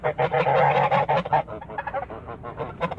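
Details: Toulouse geese in a backyard honking in a dense, overlapping chorus of nasal, harmonic honks for about a second and a half, then fading to scattered, softer honks.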